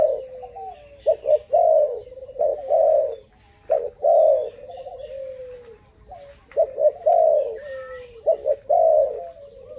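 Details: Bold young dove aged five months coos steadily: quick paired hollow notes then a longer purring note that fades downward, the pattern cycling roughly every second and a half, faint chirping audible behind.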